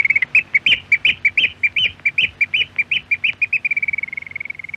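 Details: Eurasian oystercatcher from Norwegian radio archive audio: loud, strident piping notes repeated in quick pairs and groups, ending in a fast, fading level trill; clear and close, with faint low hum behind.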